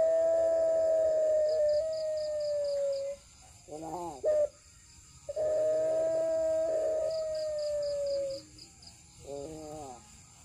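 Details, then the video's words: Puter pelung dove song: a long, pure, slightly falling coo of about three seconds, then rough stuttering notes and a brief sharp note, repeated twice, over faint background noise. "9 Puter Pelung, suara dan karakter berbeda"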